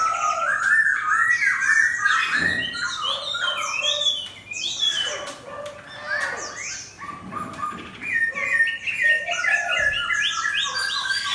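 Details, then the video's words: Chinese hwamei placed next to a fighting bird for competition, with busy overlapping whistled phrases, clipped slurred notes and brief pauses, plus a few dull thumps. "Hoạ mi 498: Xoè không khép (ốp đấu chim chiến)"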